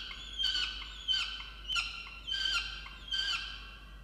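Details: Peregrine falcon at a water-tower nest box in Orange, New South Wales, Australia, November, scolding her mate about breakfast; five separate harsh, descending wailing notes spaced about two-thirds of a second apart.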